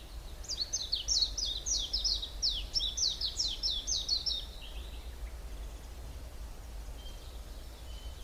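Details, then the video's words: High, crisp descending notes repeated rapidly for about four seconds, sung by a bird in the Hallerbos forest just south of Brussels, Belgium, then quiet with faint distant whistles. "Beautiful Birds sounds"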